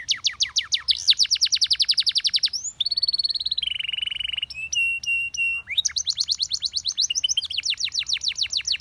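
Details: Russian singing canary performing song meant to attract other canaries: rapid rattling trills, a steady buzzy note and level whistles, then the quick repeated trills return, loud and clear.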